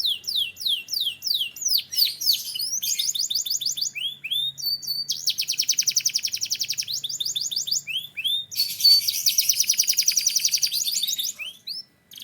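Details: Türkiye canary in full song, chaining fast down-slurred notes into dense buzzing rolls and long rattling trills, with short sweeping phrases between tours.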